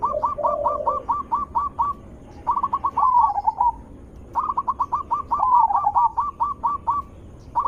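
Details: Zebra dove, described as having a big, melodious voice, used as a lure to draw other zebra doves into answering. Quick staccato cooing notes in bursts separated by short pauses, with rolling warbled phrases and a lower burbling coo.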